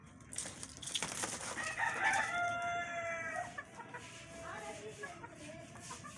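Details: Rooster kept with hens crows for nearly two seconds over a rough, hissing background, the harmonic call held level before dropping, with quieter clucking afterward.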